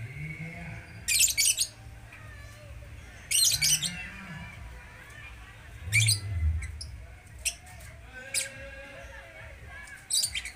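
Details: Bird calling with harsh, raspy broadband bursts, each under a second long and spaced a few seconds apart, over a low rumbling background with faint murmurs.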